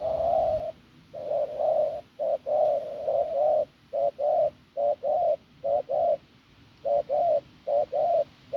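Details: Wild-caught field spotted dove giving a hoarse, strong coo: a long low note followed by quick pairs of short, mid-pitched coos, about seventy notes a minute, steady and unbroken, with quiet background.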